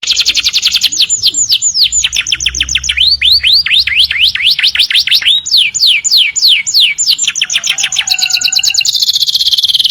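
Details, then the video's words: Canaries singing in the morning: a loud, continuous run of rapid high sweeping notes, fast descending slurs and rising trills repeated several times a second, ending in a buzzy rattle, with faint low background hum. "Kenari Gacor Panjang | Canaries Singing beautifully in the Morning"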